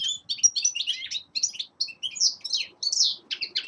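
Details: Rapid twittering song of a young male linnet in winter, bright chirps and short slurred notes in quick bursts with brief gaps.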